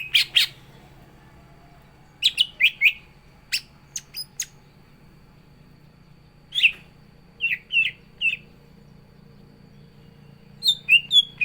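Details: Greater green leafbird (cucak ijo) in 'gacor isian' form giving scattered bursts of sharp, buzzy chips and short clipped whistles, grouped in twos and threes with quiet gaps between.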